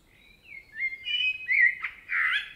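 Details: Common blackbird in song in a Spanish forest, giving a rich, melodious phrase of slurred whistles that swells in loudness, then a brief squeaky flourish and a final warbled note, with a quiet, otherwise still background.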